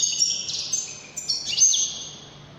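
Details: European goldfinch singing in the Moroccan widani style: high, drawn-out whistled notes and short sliding phrases, with a brief pause in the middle.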